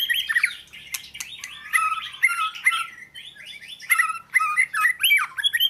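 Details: Oriental magpie-robin giving a rapid, jumbled song of slurred whistles and harsh squawky notes, densely packed with short pauses between bursts.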